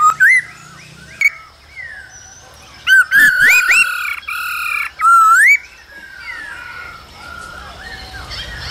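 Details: Male laughingthrush singing and dancing alongside a female's calls in the cold season, a recording for stimulating young birds; loud clear whistled notes that rise in quick slurred phrases, with bursts of harsher buzzy notes between them.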